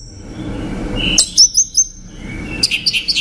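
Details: A fading echo gives way to an orange-headed thrush's crisp cluster of four high whistled notes, followed shortly by a faster series of thin, evenly spaced chirps.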